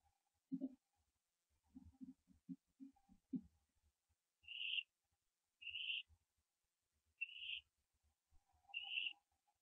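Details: Barn owl owlet near the nest at 4:07 AM, 15 September 2011, during branching: low knocks and scuffs give way to four short hoarse rising calls roughly every 1.3 seconds over a low hum.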